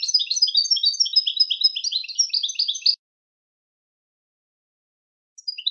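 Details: A European goldfinch's dense twittering song runs for about three seconds of quick chirps and liquid trills, falls silent, then resumes briefly at the end.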